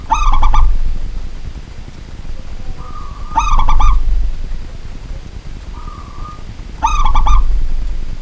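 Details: Local zebra dove in captivity, singing at night: three stuttering coo bursts, each set apart by a smooth, level cooing phrase, over constant low-pitched rumbling.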